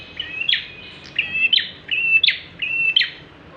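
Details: Bar-winged prinia in lively song, meant as a lure for other birds: buzzy, drawn-out high notes, each ending in a sharp louder chip, repeated roughly every half to three-quarters of a second.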